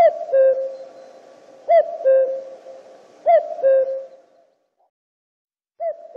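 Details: Common cuckoo (Cuculus canorus) repeating its hooted two-note cu-koo three times, roughly every one and a half seconds. Each call is a brief higher note dropping to a longer lower one. A pause follows, then another call begins.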